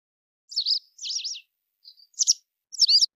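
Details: White wagtail song: short twittering, buzzy notes high in pitch, given in four separate bursts with gaps between, some slurred up and down, against a silent background.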